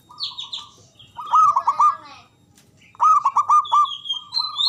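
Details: Local Javanese zebra dove song, loud and long-breathed, used to prompt silent or lazy doves to sing and answer. Two bursts of rapid rolling low coos, stuttering notes then a held tone, with high chirps from other birds.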